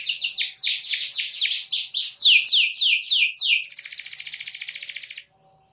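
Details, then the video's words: Gacor canary singing, used to trigger other canaries to sing: fast rolling series of descending high sweeps, then a dense buzzy trill held about a second and a half before stopping. "KENARI MANA YANG GAK BUNYI SETELAH DENGAR KENARI GACOR INI"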